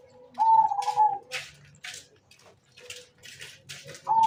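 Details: Local zebra dove, an eager caller suited for use as a lure bird, gives a steady purring coo, then another begins at the end, over scattered clicks, rustles and knocks.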